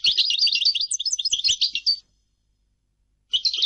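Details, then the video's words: European goldfinch song: a fast, continuous tinkling twitter of high liquid notes and trills for two seconds, a silent gap, then another burst of bright chattering begins. "Goldfinch singing - canto del cardellino"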